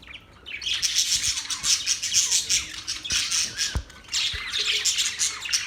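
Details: Budgerigars in continuous loud chatter, described as mating calls: dense, buzzy high twittering with harsh squawks running almost without pause, briefly easing midway before resuming.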